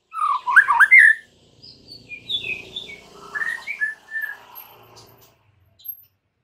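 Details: White-rumped shama master song for training caged birds, a loud burst of mixed whistles followed by softer, scattered whistled notes and a faint low rumble.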